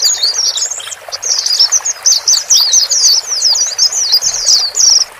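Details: White-eyes, male and female, calling to help a new cage bird adapt; bursts of fast high twittering in short phrases separated by brief dips, light hiss behind.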